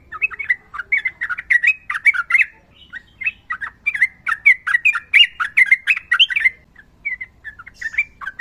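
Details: Sooty-headed bulbul giving vigorous rapid 'ropel' song: an almost unbroken stream of loud slurred whistles and squawky notes with sharp clicks, easing into sparse short phrases near the end.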